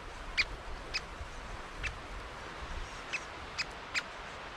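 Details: Young great spotted woodpecker (Dendrocopos major), chicks filmed with a GoPro: six sharp, high 'kik' notes at uneven half-second to one-second gaps over a steady hiss of wind or background noise.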